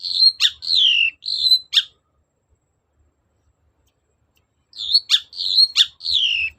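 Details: Long-tailed shrike lure song for prompting other shrikes to answer: two bouts of loud clear whistles sliding downward, each broken by sharp clicks, separated by about three seconds of silence.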